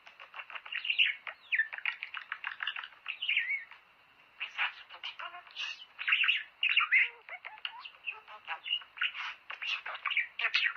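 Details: Mating-stimulation song of budgerigars: long, rapid runs of clicking, chirping notes in busy bursts, broken by a short lull partway through before the chatter resumes.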